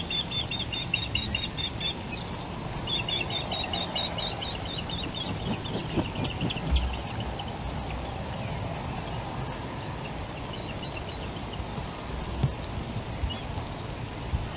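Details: Breeding pair of ospreys at a nest in Wales on 12 April, late breakfast time, as the male brings the female her first fish; series of quick, high repeated chirps in bursts over a heavy, constant rumbling background noise.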